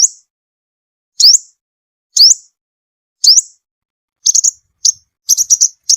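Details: Sunbird used as a trapping lure, giving a few sharp rising upslurred notes about a second apart, then a fast burst of short, high clipped chirps.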